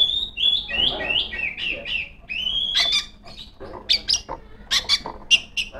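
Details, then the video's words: A female Oriental magpie-robin sings continuously toward rivals: a chain of fluid, wavering whistled phrases followed by spaced, sharp, high chip notes. "suara burung kacer gacor ngeplong memanggil lawan"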